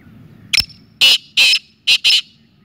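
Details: Close, loud call of a Black francolin (kala teetar): a sharp opening note followed by four coarse, rasping notes grouped two and two, each harsh and buzzy.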